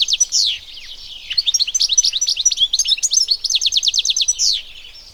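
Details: European goldfinch singing in the wild: a buzzy opening note, then continuous liquid twitters and a quick rattle of repeated chirps, ending on another nasal buzz, high-pitched and uninterrupted.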